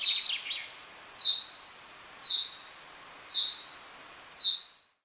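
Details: Common chaffinch (Fringilla c. coelebs) in the Alpilles, France, May 2018, gives five sharp, bright, high notes, one roughly every second, against a quiet background.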